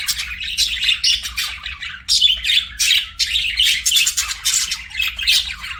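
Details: Budgerigars chirp in loud, rapid bursts of buzzy twittering and squawks, pulsing roughly every half second in an unbroken chorus.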